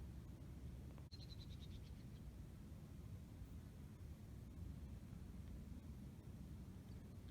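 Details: White-throated Swifts, heard in flight but unseen, at Wildwood Canyon State Park in Yucaipa on June 20, 2020, give one brief, high, slightly descending chattering trill of about eight quick notes, faint against steady wind rumble.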